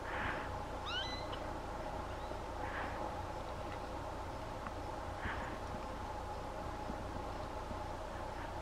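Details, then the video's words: Immature male Eared Quetzal feeding on hackberries in SE Arizona, 1 October, gives rising, squeaky "squee" calls about every 2.5 seconds, one sweeping sharply upward; a female calls in the background; low hiss and hum. "Eared Quetzal, male, feeding and calling"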